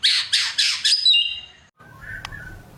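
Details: White-rumped shama giving four rapid harsh, raspy squawks about a quarter-second apart, trailing into a thin whistle, followed by faint low background noise and a single soft mid-pitched note.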